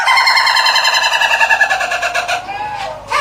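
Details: Ayam Ketawa, the laughing chicken, crowing in a rapidly pulsing, gradually descending drawn-out note for over two seconds, then falling quiet before a brief rising note.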